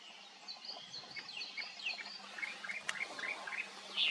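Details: A Chinese hwamei (Garrulax canorus) gives a fast, varied run of clear, high whistled notes, some sliding up and down, over a faint steady background hiss.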